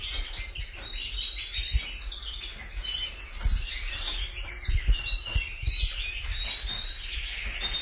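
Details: Canaries in full song: overlapping bright chirps and fast rolling trills that run without pause, punctuated by a few soft low knocks in the background.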